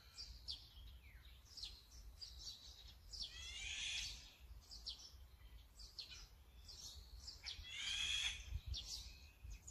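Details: Azure-winged magpie calling, recorded on a Sony A9 camera: scattered thin chirps punctuated by two drawn-out grating, buzzy screeches several seconds apart, over a low continuous background hum.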